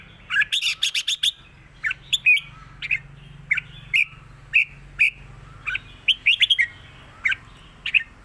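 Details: A caged red-whiskered bulbul sings in a clear southern-style song, giving short, bright, liquid whistled phrases of a few notes each, repeated every half second to second, over a low steady hum.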